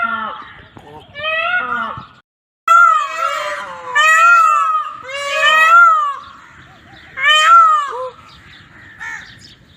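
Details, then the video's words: Indian peafowl giving a series of loud, nasal, harmonic calls, each drawn out and gently arched in pitch, repeated every second or two after a brief silent gap near the start. "Som do Pavão"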